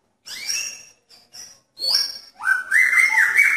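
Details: Male magpie-robin in a pairing cage calling to attract a female: a few high whistled notes with short gaps, then a long run of loud, warbling whistles that step up and down.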